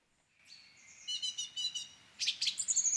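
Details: A song thrush sings in a parents' garden, giving bright, high phrases, each note repeated several times in quick succession as it tests out phrases, with a chaffinch singing at the same time.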